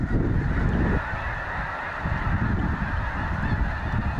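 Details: Snow geese massed by the thousands at Goose Pond Fish & Wildlife Area, Linton, Indiana, sustain a dense chorus of honks; a loud low burst in the first second, then steady clamor.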